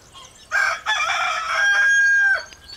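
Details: A young rooster in a noisy chicken yard crows a challenge: one loud, hoarse, drawn-out crow lasting nearly two seconds, ending in a thin falling note.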